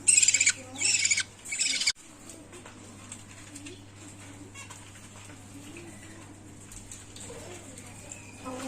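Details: Budgerigar chicks being fed by their mother give harsh, raspy begging bursts, then the room falls quiet except for a low hum.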